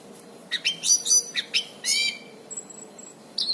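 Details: Anis cendana, the orange-banded thrush, singing briskly for bird training: a cluster of harsh, broad chattering notes, then a few thin high whistles, and a new phrase starting at the end.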